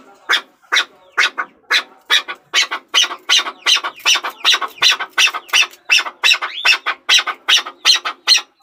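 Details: Rapid, rhythmic chukar calling: loud, harsh chuk syllables repeated over and over at an even pace, each note a short burst of rough sound.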